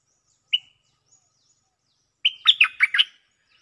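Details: Cream-vented bulbul used as a lure bird, singing back at a resident bird: one short clear note, a pause, then a quick burst of about five bubbly, warbled notes lasting under a second, with no other sounds.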